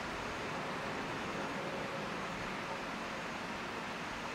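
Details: Even hissing roar of traffic or surf-like noise in Japan, no animal voice standing out.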